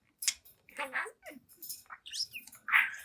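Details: Young pet budgerigar, seven months old, talking, singing and dancing in front of a mirror; quick, varied chattering of short squeaky chirps, clicks and warbled notes in uneven bursts, ending on a louder rounded chirp.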